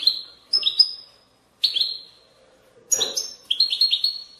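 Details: European goldfinch singing batbata, used to encourage goldfinches to sing: clean ringing notes, a short twittery phrase, then a faster run of bright chirps ending in a held tone.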